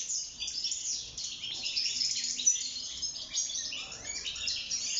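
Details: European goldfinch, a wild bird kept in a cage, singing during courtship and nest building: an unbroken, jangling stream of high twitters and liquid trills.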